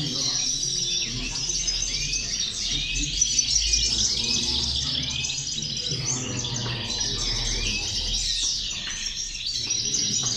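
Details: Chorus of European goldfinch song for motivating goldfinches: many birds twitter at once in a bright, rapid stream of high tinkling and buzzy notes, steady throughout, with faint low hum.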